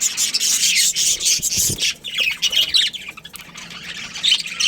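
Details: Colony of budgerigars, a breeding pair among them, giving dense high-pitched chirping and squawking chatter, many birds overlapping continuously with brief low thumps.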